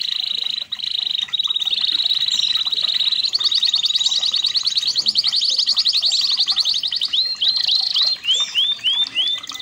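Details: Red-factor canary, known as kenari merlok, delivering a training song: long unbroken high trill that quickens into rapid rolling notes, closing with a run of repeated upward-slurred whistles.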